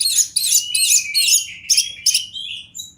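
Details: Oriental magpie-robin from the wild repeating harsh, buzzy, raspy notes roughly three times per second, then lighter chirps and a thin fading whistle, with faint low rumble beneath.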